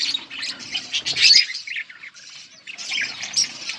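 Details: Budgies feeding chicks at a breeding nest: a first burst of rapid scratchy chirps and squawks, a near-silent gap around two seconds, then chattering resumes more softly.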